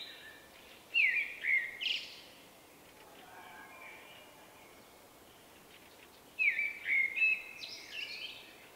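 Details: Two whistled phrases from a shy male Common Blackbird with a unique song, spring 2024; each opens with fluty downslurred notes followed by high scratchy twitters, separated by about five seconds of quiet hiss.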